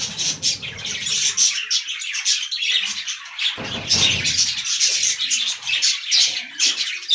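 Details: Several budgies feeding on fresh green leaves give nonstop overlapping warbles, chirps and scratchy twitters, with a brief low rustling or splashing burst near the middle.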